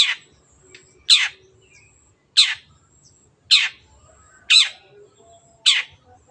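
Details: Long-tailed shrike singing energetically, played as a lure so that birds which have stopped singing start again; six grating, descending rasps spaced roughly a second apart over a faint high-pitched tone.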